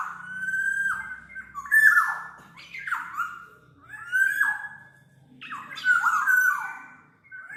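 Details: Black-naped oriole giving a steady series of nasal, wheezy downslurred squawks, about one per second, each note starting high and dropping sharply.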